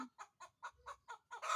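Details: Chicken preparing to lay an egg and looking for where to lay: seven evenly spaced clucks about every quarter second, building into a loud squawk at the end.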